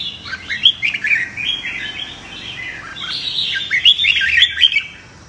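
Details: Competitive fighting song of a red-whiskered bulbul, used to train new captive birds. Rapid bright chirps and slurred whistles form two energetic phrases, the second louder and more crowded, over faint background hum.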